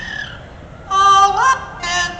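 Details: A captive double yellow-headed amazon parrot at the Texas State Fair, which knows seven songs, sings "How Much Is That Doggy in the Window" in a voice-like tone: a held note sliding upward, a brief pause, then another sung phrase.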